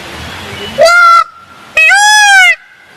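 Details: Indian peafowl giving two loud, harsh, nasal wailing calls, each under a second long with a rising-then-level tone, separated by a short pause, over faint background noise.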